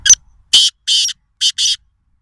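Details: Black francolin at a farm house near Nawabshah, Sindh, Pakistan, gives a harsh, grating phrase of four rasping notes, the last two close together, after a soft opening click.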